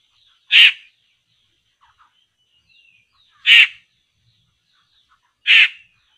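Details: Poksay laughingthrush being lured during bird trapping, giving three loud, harsh, scratchy bursts spaced about three seconds apart, with faint soft chips and whistles between them.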